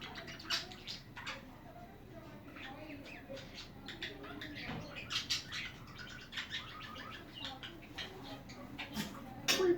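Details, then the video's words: Budgerigars keep up a lively stream of short chirps, clicks and warbled twitters, tightly packed and irregular, with soft wing-flutter-like rustles. "Hours of chatting budgies"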